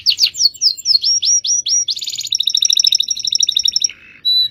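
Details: Canary rolling song used as master training audio: quick series of slurred whistled syllables speeding into a bright pulsed trill, followed by a short buzzy note and one clear whistle.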